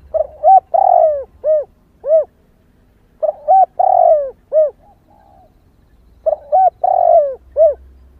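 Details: Female spotted dove calling to excite males. Three phrases come about three seconds apart, each with two quick coos, a long falling coo and two short rounded coos, all clear and loud.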